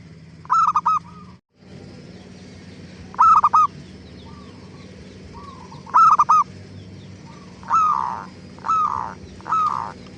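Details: Zebra dove lure song meant to make other doves answer; three triple-note coo phrases followed by slower, broader single coos near the end, with a brief dropout and a faint steady hum.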